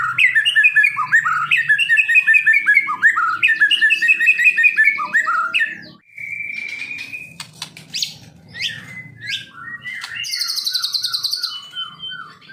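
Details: White-rumped shama singing a loud, fast series of downslurred whistled notes for six seconds, then a long steady whistle, scattered chips, and a high buzzy trill.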